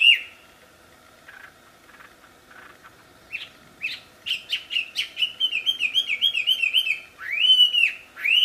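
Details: Loud wild wambi song: a few scattered notes, then an accelerating series of rhythmic whistled notes, followed by strong upslurred whistles.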